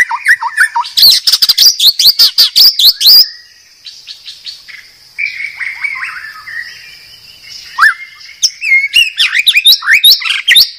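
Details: Medan white-rumped shama master song used to train cage birds: opening fast volley of high, sharp chips and whistles, a quieter rambling warble, then renewed bright rising and falling whistled phrases.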